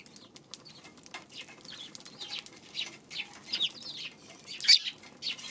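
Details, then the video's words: Eurasian tree sparrow chirping, recorded 2 March: a busy run of brief, bright chirps, clustered thickly from two seconds on, over a low steady hum of background noise. "今日のスズメ 3月2日"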